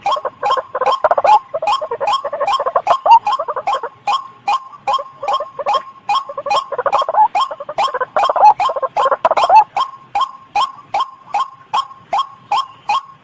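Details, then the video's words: White-breasted waterhen trapping lure: rapid, even train of short, harsh grunting notes, roughly two or three per second, swelling into a thicker croaking cluster midway before thinning to separate clipped pulses. "PIKAT RUAK RUAK paling LENGKET | Suara Pikat Burung"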